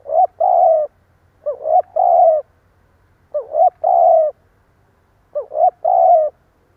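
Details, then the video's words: Spotted dove used as a lure, calling its stammering coo to provoke wild doves. Four phrases at irregular gaps, each a rising looped note, a short coo, then a longer level coo, over a faint low hum. "Tiếng chim cu gáy gù cà lăm gáy thúc gù kích bổi"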